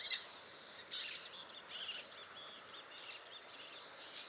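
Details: A wild saffron finch (Sicalis flaveola) singing free in nature at Itatiba, São Paulo, Brazil, on 22 September 2018 at 08:05 gives high, quick chirps followed by rougher buzzy bursts, over a steady hiss of outdoor background noise.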